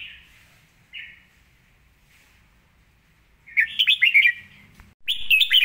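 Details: Red-whiskered bulbul song with good phrasing: a few soft, short notes first, then from about three and a half seconds a loud run of rapid, sharp, swooping whistles, with a brief pause and another strong burst.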